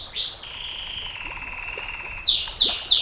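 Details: Canary song for tutoring and luring champion canaries: a bright high note sliding into a long level whistle lasting nearly two seconds, followed by three sharp descending chirps about every third of a second.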